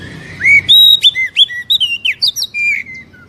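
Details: Song of an Oriental magpie-robin, meant to stimulate a captive bird to answer: a rising whistle, then a rapid run of clear slurred notes and chirps fading into softer, lower whistles.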